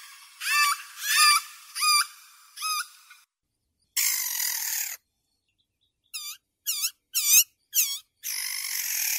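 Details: Spotted nutcracker calling: a run of four hooked, nasal notes, then a long harsh, rasping burst, a quick series of short clicky, ringing notes, and a final broad, grating rasp. No other sounds are heard.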